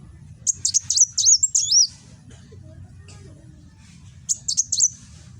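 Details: High-pitched nembak song from a kolibri wulung sunbird recorded by Android phone in Gresik, East Java: a dense volley of sharp chirps and curling whistles, a two-second pause, then a shorter burst.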